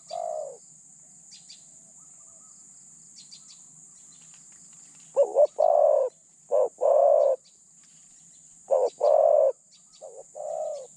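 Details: Spotted dove kept as a decoy bird for catching other doves, in Thailand. It gives low, rich cooing phrases in short bursts. Each burst has two or three notes, separated by pauses, and a faint steady hiss runs in the background.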